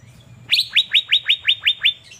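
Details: Sunbathing Asian fairy-bluebird in Banjarmasin, singing vigorously: eight loud, ringing notes that each drop sharply in pitch, evenly spaced about every fifth of a second, against a soft low hum.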